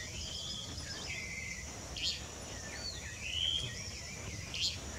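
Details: A pied water tyrant, found always near the trenches, gives thin, high whistled notes and two short buzzy bursts about two seconds apart, over a steady high insect drone.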